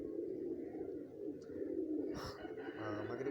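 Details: Domestic pigeons in a pair, cooing in a continuous low throaty rumble; a brief rustle or scrape is heard partway through.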